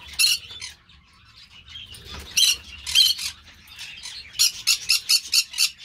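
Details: Green-cheeked parakeet (Pyrrhura molinae) with scattered rasping squawks early on, then a fast run of six or seven harsh shrieks near the end, against faint low hum.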